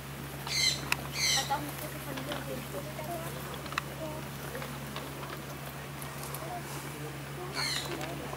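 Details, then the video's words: Captive Vulturine guineafowl at Vogelpark Walsrode, Germany, 2014, gives brief, grating, high bursts: a close pair in the first two seconds, then a single burst near the end, against a constant low hum and soft background murmur. "Vulturine Guineafowl sings"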